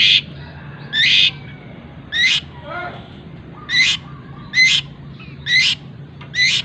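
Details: Cendet (long-tailed shrike) singing a tengkek buto imitation fill, kept as a master recording for teaching birds: loud harsh chak notes about once per second, with one short descending warble in between, over low background hum.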